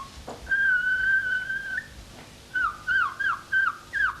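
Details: Tame caged common starling whistling La Marseillaise, 1989: a long steady pure whistle, then a quick series of five short bent whistled notes, each slurring downward, in a quiet indoor setting.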